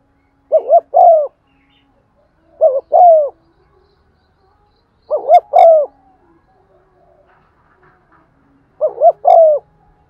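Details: Spotted dove lure bird cooing to stir other doves, 'giọng son' style; four phrases at uneven gaps, each a quick double coo leading into a longer mellow falling coo.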